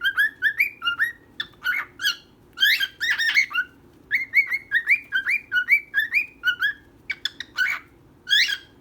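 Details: Two pet birds, a female and a male, kept indoors: a steady run of short, bright chirps, each sliding up and down, repeated several times a second with almost no pause.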